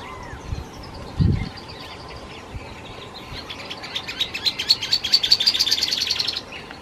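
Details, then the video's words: Dusky-tailed canastero (Pseudasthenes humicola) vocalizing close by on Isla de Yáquil, Santa Cruz, O'Higgins, Chile, among shrubby vegetation: high, thin notes speeding into a fast rattling trill of about three seconds, after a brief low thump. "Canastero (Pseudasthenes humicola)"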